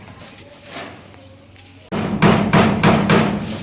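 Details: Quiet murmuring speech gives way to loud, regular hammer blows, about three per second, while a henhouse is being built.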